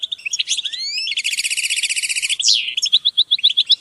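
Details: Goldfinch song meant to motivate birds: high tinkling notes, a rising slurred whistle, a fast dry buzzy trill lasting over a second, then a descending note and bright repeated chips.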